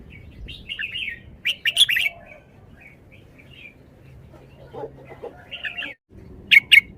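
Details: Red-whiskered bulbul showing its song style: a quick cluster of loud, liquid whistled notes, a quiet stretch with soft low chatter, then short chirps and two sharp closing notes.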